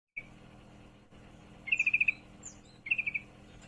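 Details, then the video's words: Female yellow-vented bulbul in heat calling a male: two quick bursts of six and five bright, even chirps at about three per second apiece, with a faint opening note and a steady low hum behind. "trucukan betina birahi memanggil jantan"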